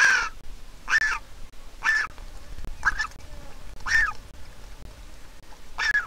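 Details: Griffon vulture chick, hatched 22 April 2021 to a handicapped parent pair at a nest in Israel, begging for food as its mother arrives to feed it: six squealing, slightly harsh cries, about one per second, over faint background hiss.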